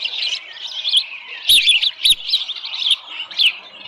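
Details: Osprey calling at a Dunrovin Ranch nest with a small live fish, 7:10 AM, 13 July 2018: fast, irregular high whistled chirps, nearly two per second, wavering in pitch, with two sharp knocks.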